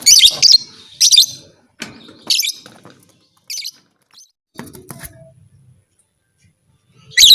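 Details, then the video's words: A lovebird's call, said to provoke other lovebirds to become fighters. Shrill, harsh chirps come in short separated bursts, loud at first and then softer, with gaps of near silence and a final loud screech. "Suara burung lovebird ini 100% merangsang lovebird lain Jadi Fighter"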